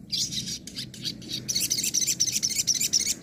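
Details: Sogon singing in the nembak and ngobra styles, recorded as a master track for training other birds: rapid high chirping notes, slightly uneven at first, then a dense run of sharp repeated chips about four per second, over faint low hum.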